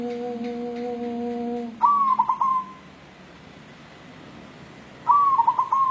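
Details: Local wild-type white zebra dove calling in search of a mate: two separate cooing phrases about three seconds apart, each a clear tone breaking into quick warbling beats, with a faint steady tonal hum beforehand.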